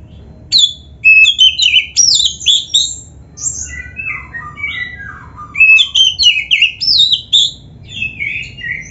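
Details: White-rumped shama (kacer), a caged bird, singing a rich 'gacor full isian' training song: varied clear whistles and slurred notes, some rising and falling, delivered in bursts with short pauses; low background hum.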